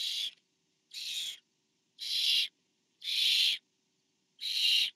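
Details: Barn owls at a nest camera, 24 September 2015, during a food delivery from parent to owlet: five loud, breathy hissing screeches about one second apart, the later ones slightly longer.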